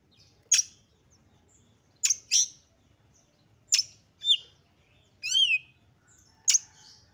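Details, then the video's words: Agitated Oriental magpie-robin, whose excited singing serves to trigger other magpie-robins, gives isolated sharp clicking notes spaced a second or more apart, with one buzzy descending-stepped note near the end. "KACER GACOR FULL EMOSI TINGGI// JOSS UNTUK MENDONGKRAK KACER LAIN AGAR CEPAT EMOSI DAN GACOR FIGHTER"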